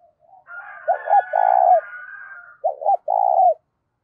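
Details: Spotted dove coo used to excite decoy doves, loud and clear: low mellow phrases of two short hooked notes followed by a longer held coo, given twice over a faint wavering higher bird call.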